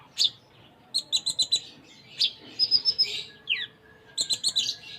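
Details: Sunda minivet, locally konin, singing gacor with full isian: quick bursts of three to five high chirps, a buzzy trill, and a thin falling note, repeated in irregular phrases.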